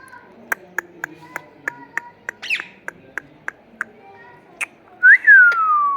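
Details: Indian ringneck parakeet, one of a pet pair in a garden. Sharp regular clicks and a brief buzzy squawk come first, then a loud whistled call that rises steeply and slides down in a long falling tail.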